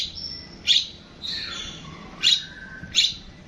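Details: Long-tailed shrike song: a few sharp, loud broadband chips spaced irregularly, with thin high whistled notes and a lower drawn-out whistle between them.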